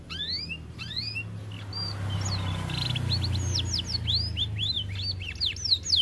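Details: Canary described as too fat and lazy to sing, here delivering a dense run of quick whistled downward sweeps and a short buzzy trill, notes tumbling irregularly for six seconds above a low humming background.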